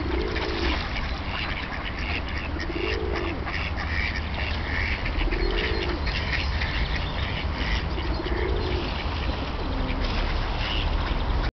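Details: Wild ducks on the ice-free Tourujoki river in Jyväskylä, Finland, in winter, among hundreds living there; a low drawn call repeats about every three seconds beneath busy higher quacking, over continuous low rumble.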